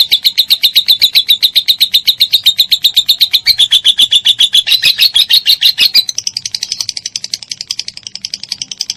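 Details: Lovebird in long ngekek chatter, for songbird tutoring: a fast, regular series of shrill notes for six seconds, then a higher, looser and softer sequence of quick notes.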